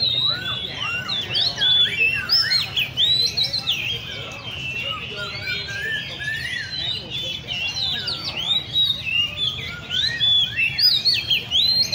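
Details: Oriental magpie-robins in cages at a bird cafe in Le Thi Rieng park. A long, crowded stretch of rapid whistled phrases and chirps follows in quick succession from several birds over a soft hum of people.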